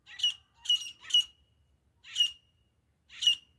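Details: Grey francolin (desi teeter) hunting sounds: a fast triplet of raspy, squawking high notes, a pause, then two more single harsh notes, all clear against a quiet background.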